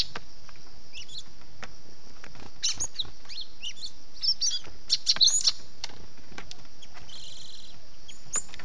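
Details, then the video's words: Gelatik batu, the cinereous tit, in a lure recording for catching birds, labelled the 'kejepit' sound. Sparse high chirps gather into a busy cluster of sharp, piercing notes near the middle, with constant high hiss behind. "SUARA BURUNG GELATIK BATU PALING AMPUH || suara gelatik batu kejepit."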